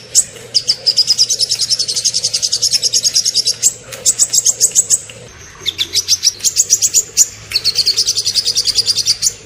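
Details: High, fast chattering song from a small bird, dense trilled bursts lasting a few seconds each, separated by short gaps, steady low background hum.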